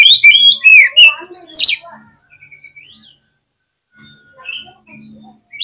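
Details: Oriental magpie-robin song: a rapid outburst of varied whistles, sweeping slurred notes and chatters for about two seconds, then a lone rising whistle and a few soft scattered notes.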